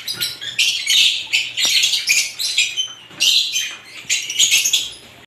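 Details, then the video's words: Assorted lovebirds chirping and squeaking in shrill, busy bursts, clusters coming roughly once a second with short gaps, and a faint low hum in the background. "ibat ibang klasing uri ng love birds sarap nilang pakinggan habang na humuhuni"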